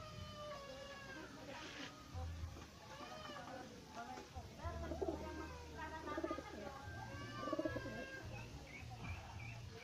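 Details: Pet pigeons during feeding: a run of short, low, soft coos about a second apart near the middle and end, under steady human voices talking throughout.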